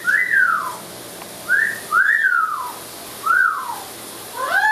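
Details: Amazon parrot in a shower gives five clear, arched whistles, each rising then falling, about a second apart, in a small echoing room; no words are distinguishable.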